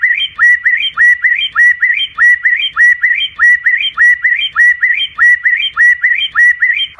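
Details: White-rumped shama singing at night, used to train a competition bird: a loud, even series of whistled notes, each dropping then rising, repeated about twice a second in a steady rhythm throughout.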